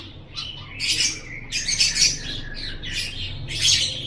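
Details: Lovebird chattering to make lovebirds chatter, with a few loud rasping, shrill squawks in separate bursts over a low hum.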